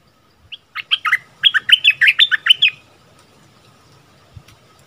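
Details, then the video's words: Bulbul singing a double-phrase song: a quick run of about a dozen loud, clear whistled notes, rising and falling, packed into under two seconds, then quiet with faint low knocks. "เสียงต่อนกดอกแตงEp.33เสียงใหม่ล่าสุด เปิดดอกเพลงเบิ้ลน่าฟังSuara merbah lekir"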